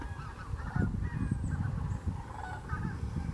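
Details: Sandhill and whooping cranes at Wheeler National Wildlife Refuge, Alabama, 14 December 2019: flock calling with rolling bugled notes overlapping in a steady chorus over a low rumbling background.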